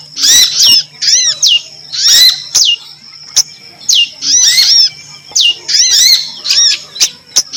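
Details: Prinia female call, called prinjak lumut, for luring birds: dense bursts of downward-arching notes repeated in clusters, crisp clicks in between.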